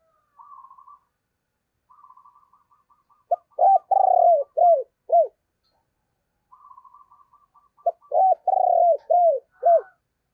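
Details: Caged decoy spotted dove in the 'thổ' voice style, kept to lure wild doves, cooing twice: each phrase opens with a soft, higher, rapid stuttering lead-in, then four or five loud, deep, rounded hooting notes in quick succession.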